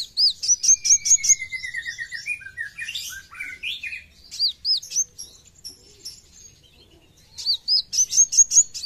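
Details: Brown-throated sunbird (kowul), full besetan style: a fast run of piercing ticks, then varied twittering and falling slurs, a quieter spell, and another quick volley of high clicks at the end.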